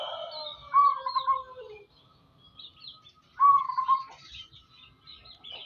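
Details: Local zebra dove singing actively: two low, rolling, quavering coo phrases about two seconds apart, with faint high chirps from other birds in the background.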